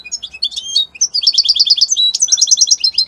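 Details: European goldfinch, labelled Italy, singing continuous bright twittering made of quick repeated liquid notes, with a brief break midway before the chattering resumes.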